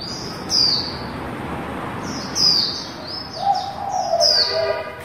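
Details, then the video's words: Female white-eye singing in the líu style, used to stir other white-eyes into song: thin, very high notes sliding downward in short bursts, with a lower drawn-out whistle near the end over steady background hiss. "Khuyên mái líu đẳng cấp THẾ GIỚI"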